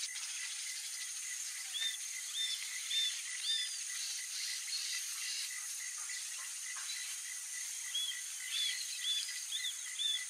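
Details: A young Roadside Hawk (Rupornis magnirostris) begs its parents for food with thin, high, arched whistles in short runs of three or four, about one every half second, over steady insect hiss.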